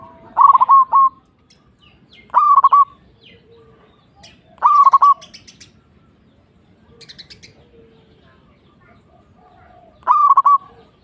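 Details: Local zebra dove repeating brief bursts of rolling, staccato cooing about every two to three seconds, with soft chirps from other birds between phrases.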